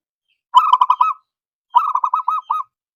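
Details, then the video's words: Zebra dove song directed at a rival, two quick rattling series of clipped, bubbly coos, each run of five or six notes lasting about half a second, separated by a brief pause. "Suaranya Memanggil Lawan Bikin Emosi & Nyaut"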